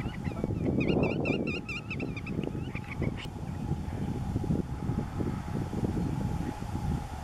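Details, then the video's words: A flock of Black-tailed Godwits (Limosa limosa, grutto) in the Netherlands, calling 'grutto grutto': a quick run of about eight nasal, rising-falling calls in under two seconds, over steady low wind rumble. "Grutto, Biru-laut ekor-hitam, in beeld en geluid/Black-tailed Godwit in pictures and sound"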